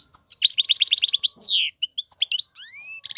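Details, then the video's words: A European goldfinch male, sung for teaching young birds, gives a rapid string of tinkling chirps, then a long descending buzzy slur and rising thin whistles. "اقوى تغاريد الحسون, مقنين فحل لتعليم الفراخ"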